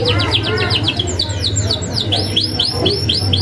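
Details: Vigorous canary singing a sharp rolling 'isian ngerol' song used as a training model for young canaries: rapid series of high descending swept notes, repeated several times a second, over a steady low hum.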